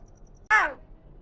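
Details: Talking common hill myna, a pet bird that mimics greetings, lets out one sudden harsh, broad squawk that falls in pitch over a quarter second, after a stretch of near silence indoors.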